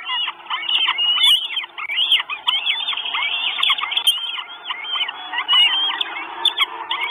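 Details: Begging Northern goshawk nestlings, four chicks wanting food at their nest in Estonia on 1 June 2022, live camera: continuous clamour of thin, high, wavering squeals overlapping, with faint clicks in the background.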